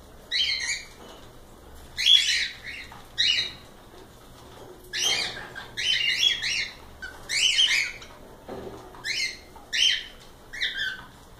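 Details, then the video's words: Several cockatiels in a live stream, trading harsh, rasping squawk-chirps in irregular bursts about every second, with rustling or wing noises between some calls. "Calopsitas Live Canto dos pássaros"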